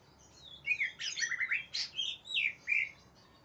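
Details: Greater green leafbird singing aggressively while seeking an opponent: a quick, varied string of high chirps, slurred whistles and buzzy trills, each note short and changing in pitch. Faint steady background hiss.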